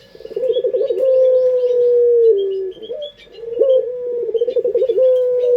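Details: Local Indonesian Barbary dove of the pelung type, sought after for its melodious voice and used as a lure. Fast throbbing trills flow into a long, smooth, low coo that dips, then the pulsing trill returns. Faint chirps from other birds accompany it.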